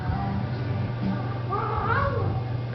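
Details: A male pet grey parrot gives a short, voice-like spoken phrase with a rising then falling tone over a steady low hum.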